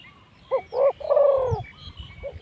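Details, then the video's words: Spotted dove decoy at spot 136 luring wild spotted doves; a short coo phrase, two quick notes and a long falling coo, with faint thumps and background noise. "ต่อนกเขาใหญ่ เจ้ามังกร แต้มที่ 136ต่อข้างกับนกเขาใหญ่ภูฝอยลม"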